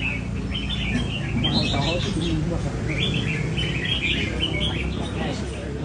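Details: Red-whiskered bulbul in training at a café, hopping between perches; short chirpy warbled phrases repeat in bursts over a constant low rumble, with soft human voices in the background.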